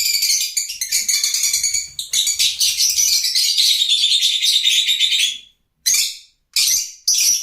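Lovebirds chatter in a dense, continuous stream of shrill, high chirps and squeaks, broken by a few short pauses near the end.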